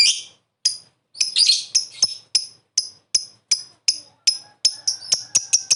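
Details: Caged lovebird lure recording, calling to draw a reply: sharp, high, rasping chirps that start well spaced and then come faster and more crowded toward the end.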